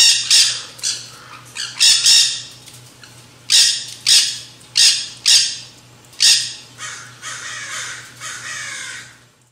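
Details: Nanday conures, also called black-hooded parakeets, in a backyard feeding frenzy at a seed feeder: loud harsh screeching squawks in bursts, roughly a dozen sharp calls in quick series with short pauses, overlapping birds, steady low hum behind.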